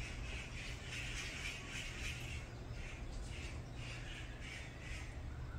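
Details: Brown-eared bulbuls in a group fight: raspy, harsh notes come in uneven runs throughout, fairly distant, over a constant low rumble.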